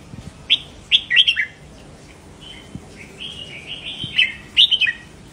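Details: Caged red-whiskered bulbul doubling its song to stimulate other bulbuls: quick bright whistled phrases open and close the passage, with a softer, drawn-out warble between them and a few faint clicks.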